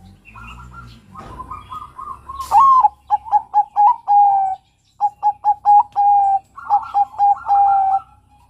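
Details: Cooing of a young male Bangkok-type zebra dove: short clipped coos in rapid runs ending in longer level notes, repeated twice with a brief pause between; another dove's softer coos and a faint rustle early on.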